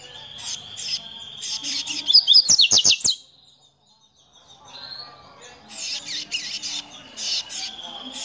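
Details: Hybrid songbird excited on seeing a loose female, giving bursts of buzzy, harsh chirps high in pitch, then a run of sharp, rapid clicking notes, a brief silence, and more buzzy chirping phrases.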